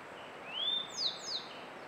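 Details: Song of a Grey bunting, May 2022, Canon EOS R5 recording: one long rising whistle that flattens out, then two quick descending high notes, clean against soft steady background noise.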